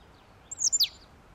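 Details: Eurasian nuthatch (Sitta europaea), call.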